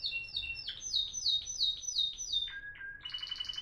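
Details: Moroccan Timbrado canary from 2021 singing in the discontinuous style: a run of repeated high, sharply falling notes, then lower whistled notes and a short rapid rattle at the end.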